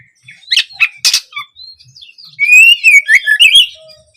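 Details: Oriental magpie-robin song for teaching young birds: harsh squawks and chirps at first, then a loud rich passage of slurred whistles rising and falling, with a faint low whistle near the end.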